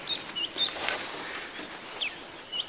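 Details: A White-browed Scrub Robin sings near lion cubs on a sunrise safari drive on July 21, in the morning sunlight: short, high whistled notes scattered through the clip, with one sharp rustling burst and a steady outdoor hiss behind.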